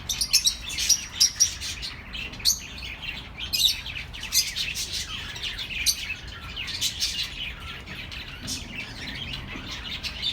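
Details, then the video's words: Group of chirping birds offered as company for lonely pet birds: bright, quick high twitters, louder and more spaced in the opening seconds, then a denser, softer chattering carpet. "The best relaxing birds sounds for your lonely birds"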